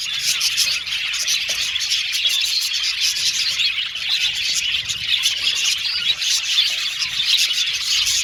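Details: Australian budgie colony in an aviary, a lively stream of chirruping and warbling from a crowd of birds, dense and unpaused.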